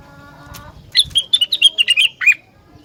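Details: Rengganis, whose song reportedly prompts other rengganis to answer, giving a fast string of about ten high, sharp chirps that ends on a slightly lower note. A faint low tone sounds just before.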